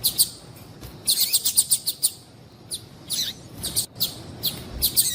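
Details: Female yellow-bellied seedeater calling to attract males, used by keepers to stir males to sing: high, short chirps, some in quick runs of six or seven, others single and spaced, with faint background hiss.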